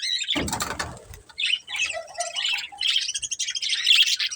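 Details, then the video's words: Budgerigars from a breeding pair, with a loud flutter of wings near the start followed by quick squeaky chirps and warbled twittering. "Cute Colourful Budgies Chirping Sounds"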